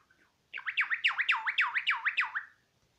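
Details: Myna voicing a quick run of about ten looping, bouncing whistled notes, each sweeping down and up, lasting two seconds.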